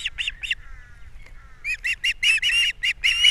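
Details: Nesting osprey pair on Captiva, April, with fish delivered at breakfast and chicks being fed; three sharp chirps, a faint thin whine, then an accelerating burst of loud piercing chirps.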